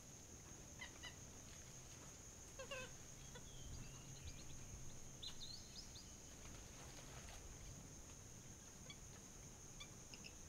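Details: Purple gallinule (Porphyrio martinicus), call.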